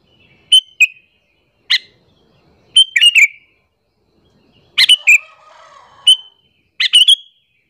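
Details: Sooty-headed bulbul, a chatty bird, giving a lure call used to draw other bulbuls and make them agitated: short bright chirping phrases of two to four notes, spaced irregularly over several seconds, with a faint lower warble in one gap.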